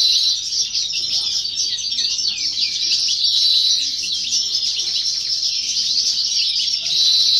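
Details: European goldfinch, a novice, in full song at a 2018 or 2019 competition: sweeping, chattering twitters and rolling trills that run continuously, ending in a clear whistle, against a quiet low hum.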